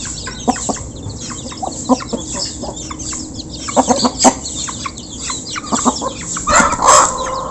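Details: Flock of local chickens while eating after being given food, recorded up close: irregular clucks and sharp squawks from several birds, ending in a louder, harsh squawking burst, with faint high chirps behind.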